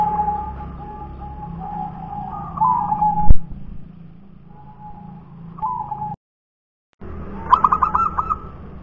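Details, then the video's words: Wild local zebra dove (perkutut punden) heard among low background noise and a sustained mid-pitched tone. A sharp knock and a short silent gap come before one clear burst of rapid trilled cooing at the end. "suara PERKUTUT PUNDEN"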